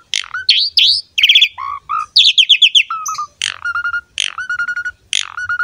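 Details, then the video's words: Asian pied starling singing vigorously, recorded as masteran for other starlings: rising whistles and buzzy bursts alternate with level, low whistled notes repeated about once a second. "MASTERAN BURUNG JALAK SUREN GACOR ISTIMEWA"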